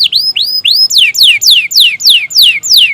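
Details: Canary in full, persistent song, used as a lure to make reluctant canaries sing: a few rising whistled notes, then a steady run of clear, high, steeply descending slurs repeated about two to three times a second.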